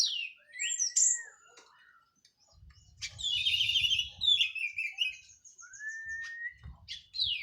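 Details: Teler-style singing from a post-molt Cililin orange-headed thrush: descending whistles, a buzzy warbled passage and a rising drawn-out whistle, with low rumbling noise beneath the middle section.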